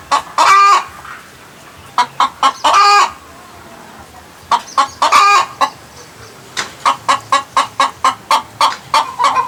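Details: Chicken making weird noises: loud harsh squawks near the start and middle, then a run of short evenly spaced clucks in the last few seconds.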